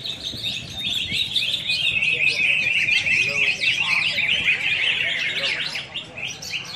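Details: Several greater green leafbirds sing at once at a bird-song contest in Singkawang: a dense, nonstop tangle of bright, high, varied whistles and chattering phrases, over a low crowd murmur.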